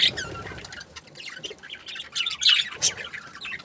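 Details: Happy budgies trade sharp, high chirps and harsh squawks in irregular bursts, louder peaks near the end, with little other sound.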